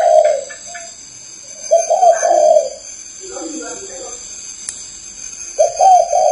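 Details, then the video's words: Low, breathy coos from a spotted dove come in short bursts at the start, in the middle and at the end. Human speech and some clatter fill the gaps, over a constant faint high hum. "THAO CHIM CU GÁY"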